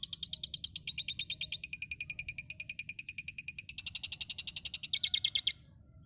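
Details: Asian pied starling in Tulungagung, East Java, in full song with lovebird and cililin mimicry: rapid harsh buzzy pulses rattling evenly, then a louder, quicker burst of chatter near the end before stopping abruptly, with a faint low hum underneath.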